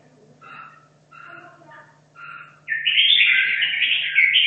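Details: Competition-trained caged red-whiskered bulbul from Hanoi, two and a half years in the cage: four soft spaced notes from other birds, then a loud, sustained bright warble of fast whistled notes over a steady background hum.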